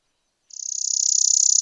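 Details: A Spizella sparrow, one of the American sparrows, begins a high, dry trill after a brief silence. The rapid pulses grow louder over the first half second and continue evenly.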